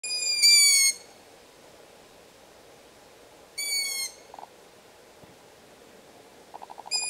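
Long-eared owl chicks give high, squeaky begging calls, each about half a second long, repeating every three seconds, with faint low clicking between.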